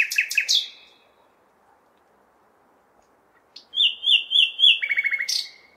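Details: A common nightingale singing through a May night in a city: a few strong chirps, a long pause, then a stuttering series of evenly spaced rising notes ending in a fast buzzing trill, with faint traffic hum.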